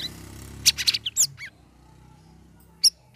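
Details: A captive Sooty-headed bulbul, in its third week of care with group-hanging conditioning, gives a quick burst of high, chirpy twittering notes, then two sharp, clear whistles after a brief pause.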